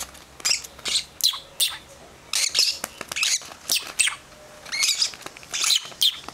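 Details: Pet lovebird chicks from a second batch, producing rapid harsh wheezy bursts repeated irregularly, several voices overlapping into continuous rasping at times.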